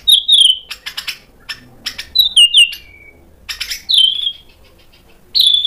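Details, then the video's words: White-rumped shama provoked into answering and singing, showing its learned imitation material: clear downslurred whistles, short bursts of sharp clicks and ticks between phrases, with brief silent pauses. "PANCINGAN MURAI BATU BIKIN EMOSI JADI NYAUT GACOR BONGKAR MATERI ISIAN | SHAMA BIRD"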